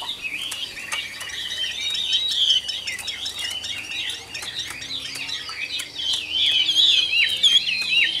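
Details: Mature wild-caught Chinese hwamei, Tam Hoàng type, praised for its good voice, pouring out a dense, rapid stream of high twisting notes and trills, growing louder toward the end.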